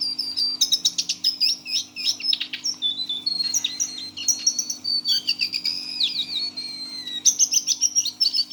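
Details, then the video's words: Six-month-old caged Lesser Shortwing, brown form, delivering its teler song: dense bursts of clicks and chips alternating with long high whistles and descending slurs, with a constant low hum underneath. "GAYA KICAUAN BURUNG JONGKANAN COKLAT TELER"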